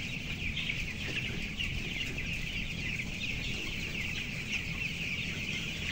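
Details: Fourteen-day-old broilers at 525 grams in an enclosed house of 11,000 birds, upper level, producing an unbroken wash of shrill peeps from the crowd, backed by a steady ventilation rumble.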